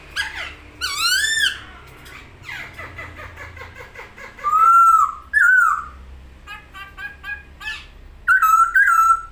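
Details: Masked laughingthrush singing vigorously while spreading its wings: mixed harsh and ringing notes, then loud clear whistled phrases that slide up and down, the last bursts near the end, over a low indoor hum.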